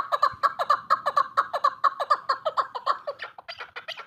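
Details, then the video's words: Chukar partridge, female, calling in a regular chuk-chuk rhythm, sharp clucking notes about two per second, becoming more ragged toward the close. "Sound of partridges birds chakor keklik کبک الحجل zark چکور"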